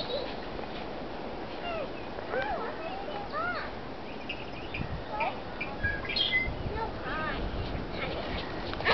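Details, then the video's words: Possibly blackbirds, in a marsh area on the path between Floras Lake, Oregon, and the Pacific Ocean, chatter over one another as a flock: short, swooping chirps and squeaky notes, fairly steady throughout, over a constant hiss of outdoor noise. "Black Bird Sounds"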